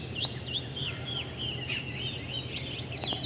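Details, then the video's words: Steady series of curved high chirps, roughly three each second, from birds over a low humming background. "Sweet Birds 🐦Chirping Sounds"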